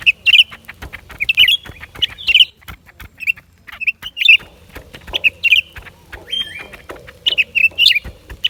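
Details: Lesser green leafbird delivering a busy, chattering series of bright chip notes and short twittered phrases almost continuously, with faint softer notes between.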